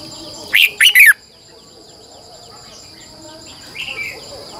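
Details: Red-whiskered bulbul lure bird in morning song; a short loud phrase of three rich slurred notes, then a faint distant reply, over a continuous high-pitched hum.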